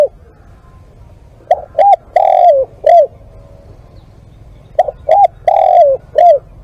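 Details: Spotted dove calling as a live decoy: two matching phrases about three seconds apart, each made of four low coos with a long slurred third note, over a faint steady hum.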